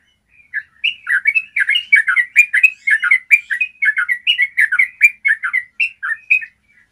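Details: Long, clear trilling song of a yellow-vented bulbul, used as a training sound for other bulbuls: a dense, continuous chain of liquid, warbling chirps at mid to high pitch, lasting about six seconds.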